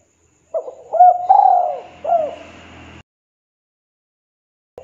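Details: Spotted dove in the KUK 2 calling style, calling a rival and used as a lure: a few mellow, low coos with arched, rising-then-falling inflections over about two and a half seconds, ending abruptly, followed by a faint final note.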